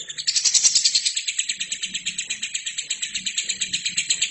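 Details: Continuous lovebird song used as a training recording for other birds: harsh, rasping high notes pulsing rapidly and evenly, loudest in the first second, then a steady rattling chatter.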